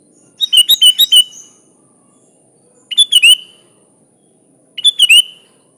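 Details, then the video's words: Sooty-headed bulbul singing a lively phrase of about five rapid liquid notes, then two shorter three-note bursts about two seconds apart, each ending in a slurred downward whistle. "Suara Burung Kutilang Gacor full isian alam"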